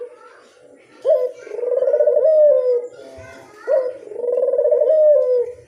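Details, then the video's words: Barbary dove giving a lure call, two long purring coos with upward-flicked starts and slow descending tails. Soft background rustling and faint murmurs are heard in between. "Pancingan burung puter mamtap nembak"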